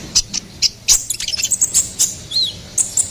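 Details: Ruby-cheeked sunbird song used as a lure and tutor recording for songbirds: sharp high chirps and clicks with a short thin rising whistle near the end. Faint low hum beneath.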